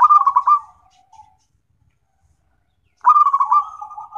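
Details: Zebra dove (local perkutut) song for therapy and training other songbirds: a loud rapid rolling trill ending in a soft coo, silence for about two seconds, then another loud bubbling trill.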